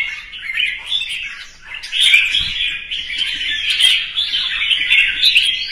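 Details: Red-whiskered bulbul contest singing in the morning to rouse competing birds; unbroken, high warbled chatter swelling after a quiet dip near the start, with quick twittering notes layered throughout.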